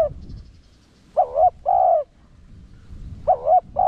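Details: Cooing spotted dove of the 'Rặc Đồng' voice, a lure for wild doves. Two paired phrases: a quick wobbling note followed by a drawn-out even coo, with a long pause between them.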